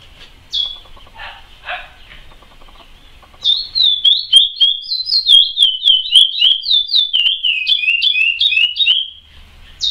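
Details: Chestnut-bellied seed finch of the praia type, a singing bird, delivering a long run of clear whistled notes that slide up and down around a steady pitch, rapid and continuous for about six seconds after a few softer introductory chirps.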